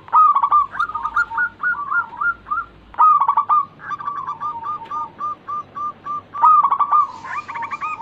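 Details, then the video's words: Local zebra dove, a steady singer used to lure other birds into song: three phrases, each opening with a loud rough note and running into a chain of evenly spaced soft coos. "Pancingan burung perkutut lokal gacor pintar merayu cepat bunyi"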